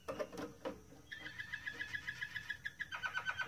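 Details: Moroccan Malinois canary singing indoors: after a few soft clicks and knocks, a rapid even trill rolls in at mid pitch, followed by a series of quick descending notes at the end.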